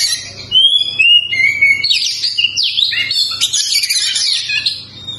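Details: ['Kacer, the Oriental magpie-robin, singing. Clear whistled notes slide downward, followed by a loud, busy medley of rising and falling twitters. A faint low hum runs throughout.']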